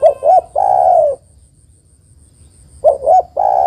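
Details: Spotted dove female calling a male, used as a lure. Two brief coos and a long sustained coo, a second-long gap, then the same three-part phrase starting again.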